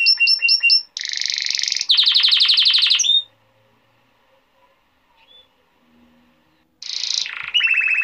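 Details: Male canary song for training young canaries: rapid repeated chirps, then long buzzy trills in dense rolls, about three seconds of near silence, then another buzzing roll and trill.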